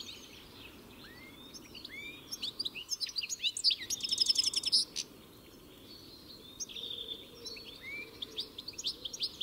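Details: European goldfinch singing a fast, jumbled series of high twittering notes, slurred whistles and a buzzy trill near the middle, notes tumbling several per second, with soft background hiss.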